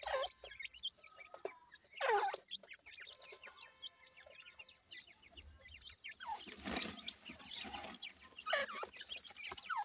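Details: Grey francolin chicks, locally dakhni teetar, calling while they feed: thin whistled peeps and chirps, some rising, with a few louder scratchy bursts.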